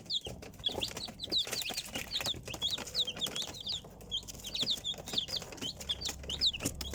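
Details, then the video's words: A flock of chicks peeping almost nonstop: bright, high, falling notes in rapid overlapping runs, with sharp ticks and taps and a faint low hum. "Цыплята / chickens"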